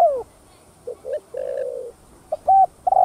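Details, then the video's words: Spotted dove cooing as a lure for other doves: a falling hollow note, a soft pair of short coos, a longer level coo, then clipped louder notes at the end. "Tiếng Cu Gáy Giọng Hấp Dẫn[ ĐỦ BÀI THÚC GÙ ĐỈNH CAO 02] Kích Bổi Nhanh Nổi"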